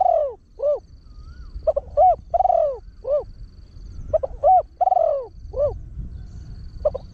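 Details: Repeated fast crowing of a trained, deep-voiced Spotted Dove used to attract wild doves, 'khan yon one kuk' style: three cooing phrases in quick succession, each with stuttered notes, a drawn-out rasping coo and a short closing hoot.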